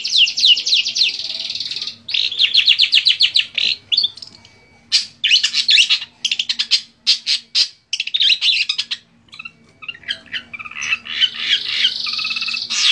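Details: Long-tailed shrike from songbird hobbyists, pouring out continuous mimicry for training other birds: long rapid scratchy trills and chattering bursts, brief gaps, ending in a dense harsh warble; faint low hum beneath.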